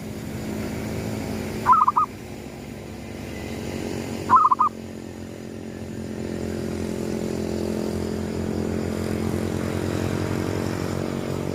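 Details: At sunrise a local zebra dove gives its gedong mengo lure coo: two brief trilled, bubbling phrases about two and a half seconds apart, then a long stretch of low engine-like drone.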